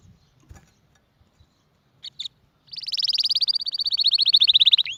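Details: Canary singing: two short high notes, then a long, loud, rapid rolling trill of repeated notes sliding slightly downward, ending in a quick upward flick; quiet low background.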